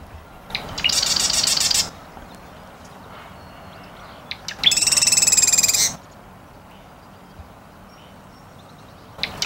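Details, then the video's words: Two songs of a marsh wren (Cistothorus palustris), a small North American wren, about four seconds apart: each is a fast, mechanical chattering trill lasting roughly a second, with quiet pauses around them. "Marsh Wren"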